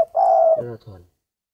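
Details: Spotted dove, a bird said to brood well, gives one steady low coo that breaks into a rough, throaty ending, heard indoors.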